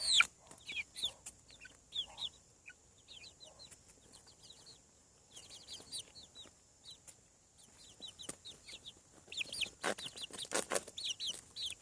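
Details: On a farm, chicks hatching from eggs keep up a steady chatter of short, high, descending peeps from several birds. Loud clicks and taps break in toward the end.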